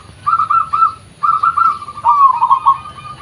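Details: Local zebra dove giving its natural voice, recorded for use as a lure: three soft, trilled cooing phrases near the same pitch, each about a second long, the last starting slightly higher, over a quiet low hum.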